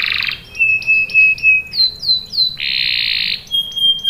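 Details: Canary song mixing harsh buzzy bursts with pure steady whistles and a few swooping upslurred notes, phrases changing every second or so.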